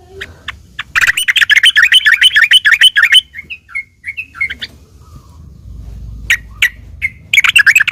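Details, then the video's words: Sooty-headed bulbul in fighting mode, sung to provoke other bulbuls into answering: a dense run of rapid, bubbly chattering notes for about two seconds, then scattered short chirps and a final burst of chatter. "trucuk gacor taruNG buat pancingan trucukan agar bunyi"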